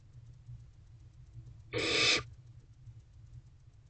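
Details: Barn owl owlet in a nest box with siblings, at 10:32 pm on 29 April 2023, swallowing a large mouse: one harsh, breathy hissing screech lasting about half a second, otherwise a quiet low hum.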